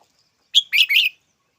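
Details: Red-whiskered bulbul delivering a single quick three-part phrase: a sharp clear opening note followed by two harsh, buzzy chirped syllables, all within about half a second, in a quiet setting.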